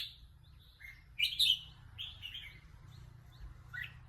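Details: Red-whiskered bulbul said to be eager to compete gives a few scattered whistled notes and one louder warbled burst near the middle, with a soft low rumble beneath.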